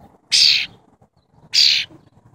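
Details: Tame wild cowbird calling twice, each a short rasping hiss-like burst about a third of a second long, spaced a little over a second apart, with soft low background rumble between.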